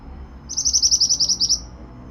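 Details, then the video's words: Pied bushchat, singing energetically in a training recording, gives a fast run of about ten bright, high, identical notes lasting roughly a second against faint low noise. "Masteran burung Mantenan gacor"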